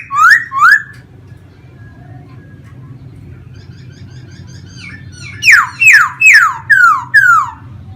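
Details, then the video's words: Caged laughingthrush from Vietnam singing while dancing with its plumage fanned out, airplane-style. Two loud descending whistles open, then a soft quiet stretch, then five strong slurred notes falling in pitch, each about half a second apart. "khướu hót múa xòe như máy bay"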